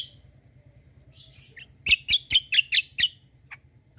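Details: Lure recording of a white-eye, kecial kombo, intended to make other birds respond: faint high twittering, then a rapid burst of six loud, sharp chirps, followed by a few thin notes.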